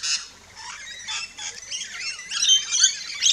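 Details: Rainbow lorikeets at a backyard feeding station in Australia, chirping and squawking; rough, grating screeches start sparse and build into a dense, shrill chatter toward the end.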